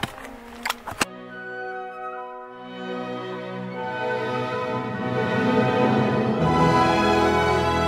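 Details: Orchestral music with sustained horn and string chords that swell louder toward the end, after a few sharp clicks in the first second.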